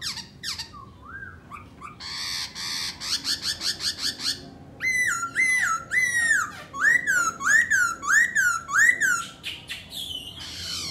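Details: Black-throated laughingthrush in full song and display: scratchy buzzy notes and rattles, then a regular series of looping whistled phrases repeated roughly twice a second.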